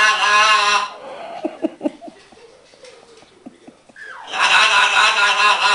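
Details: Pet green-winged macaw, male, kept indoors, playing with learned words: a long harsh raspy squawk, a run of soft rapid clicking syllables, then another loud grating squawk.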